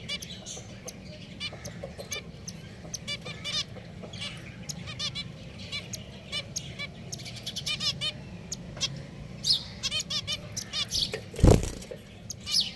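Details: Several caged pet finches calling busily, with quick stacked nasal notes overlapping in a dense chatter, a few wing flutters, and one loud bump toward the end.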